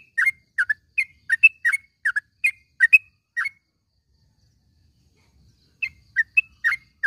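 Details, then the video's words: Morning calls of a yellow-vented bulbul for training caged birds: lively run of quick bubbly chirps, a silent pause of about two seconds, then the chirping resumes. "panggilan suara trucukan di pag hari ini ampuh buat masteran burung trucuk macet bunyi menjadi gacor"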